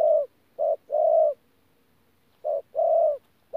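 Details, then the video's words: Spotted dove decoy bird from Tu Mơ Rông, 14 January 2019, 'pha gù' coo: two phrases of a short low hoot followed by a longer sustained coo, separated by a second of quiet. "BỔI THỔ PHA GÙ QUÁ TỐT"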